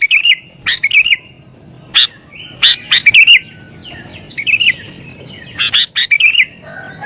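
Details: Agitated sooty-headed bulbul, recorded to lure wild bulbuls, giving repeated short bursts of loud, gurgling, slightly wavering chirps with brief pauses, a faint whistle near the end.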